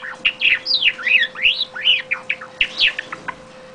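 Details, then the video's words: Java sparrow singing a rapid run of bell-like, tinkling chirps and clucks, rising and falling in quick succession over a faint steady electrical hum. "Java Sparrow song"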